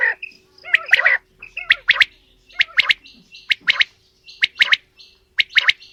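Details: Female and male quail giving mixed calls, with short high chirps, some with bent, warbling notes, in quick irregular clusters, roughly one group per second.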